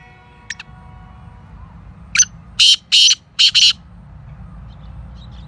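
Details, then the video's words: A faint short note, then the black francolin's full call: an opening chip and four strong, grating buzzy notes packed into about one and a half seconds, over a steady low hum. "Speeder Kala Teetar"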